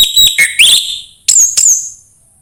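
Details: Orange-headed thrush song played to prompt a bird to sing: a few clear whistled notes, one sliding upward, followed by two high, thin descending whistles.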